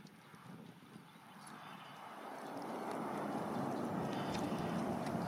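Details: Very young Grey Heron chicks, probably three or four days old, clash their bills in a park nest in winter, signalling to be fed. Dry, rapid wooden ticking at about four knocks a second grows louder over a rushing background.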